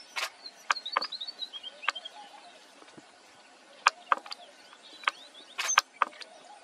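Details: Red munia calling at Nagpur in August 2023: faint, thin high whistled notes in short runs, separated by sharp clicks and knocks.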